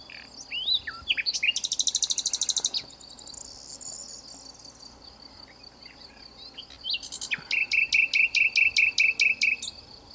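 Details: Common nightingale hidden in a bush in the south of France, singing for nearly two hours: a dense, rattling high buzz, a pause, then about ten sharp repeated strokes in quick succession, over a steady high insect hum.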